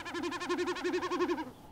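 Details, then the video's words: Male snipe drumming in Shetland, usually at dusk during a courtship or warning display, diving so air passes over two outspread tail feathers: a fast pulsing, bleating hum of about fourteen throbs over one and a half seconds. "When diving, air passes over these feathers to create this unusual sound."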